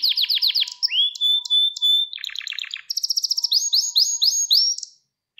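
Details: Song of a Gloster canary used for training and to rouse males: rapid trilled bursts, a sustained level whistle, then chattering rolls and repeated upward-sweeping notes. The song ends abruptly in silence.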